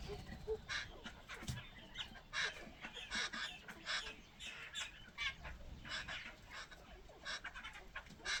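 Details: Jungle babbler, known locally in Pashto as ڈغائے, a bird said to alert the jungle's birds when danger appears; grating, scratchy notes in quick uneven bursts, with low rumbling noise underneath.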